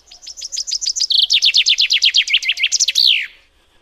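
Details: Common chaffinch delivering a complete song: a fast series of thin descending chips grows louder and denser, then ends in a bold, downward-curving flourish after roughly three seconds, with near silence around it.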